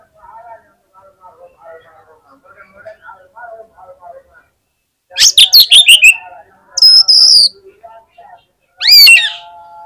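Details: Fighter Oriental magpie-robin at a song contest, said to trigger other magpie-robins quickly. Soft low chattering from many birds at first, then loud bursts of sharp descending chips and high whistles stand out.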